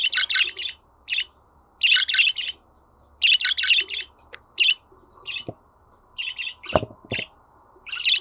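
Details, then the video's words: Budgerigar chatter for getting pet birds to sing: clusters of fast bright chirps in runs of three or four, separated by short pauses, with scattered single notes and a few low clicks near the end. "Muhabbet Kuşu Sesi"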